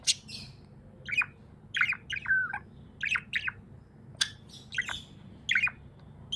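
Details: Happy budgie chirping in sharp clicks, short squawky notes and little warbled phrases in bursts every second or so, with a faint low hum behind.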